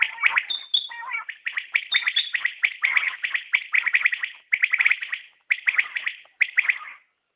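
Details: Common quail call series: dense runs of short clipped notes in quick threes, almost continuous for six seconds before stopping, with a high whistle early on.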